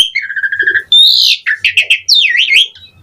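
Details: Asian pied starling song as a training recording, a level whistled note followed by a loud rising whistle, clipped chatter, then a wavering, looping whistle.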